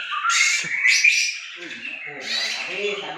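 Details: Aceh white-rumped shama song with harsh, buzzy notes and slurred whistles over low murmuring human voices.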